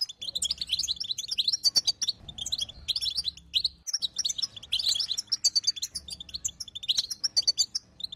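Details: Female European goldfinch calling to encourage a silent male to sing: sustained, crowded, high-pitched twittering with sharp clicks and chirps, briefly pausing near the middle.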